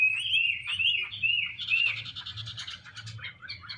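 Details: Garrulax canorus, the Chinese hwamei, as a female displays with spread wings to urge the male; a sweet whistled phrase leads into fast rattling, repeated notes, a low hum throughout.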